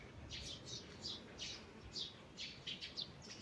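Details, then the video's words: Forest birds singing in the morning; a series of bright, high chirps and short trills spaced roughly every half second, fairly soft against a low rumbling background. "Morning Birds Singing in the Forest"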